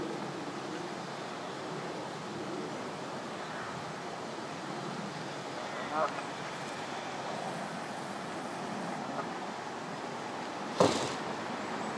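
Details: Steady wind and water noise, with two brief knocks near the six- and eleven-second marks and no animal calls.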